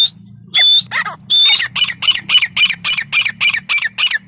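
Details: Grey francolin call: a few loud whistled notes, then a quickening run of short harsh squawky notes with a steady low hum behind them.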